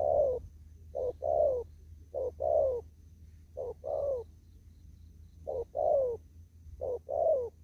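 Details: Wild spotted dove in a rural field giving 'đồng thúc gù' coos: six evenly spaced pairs of soft hollow notes, a short one leading a longer descending coo, in quiet surroundings.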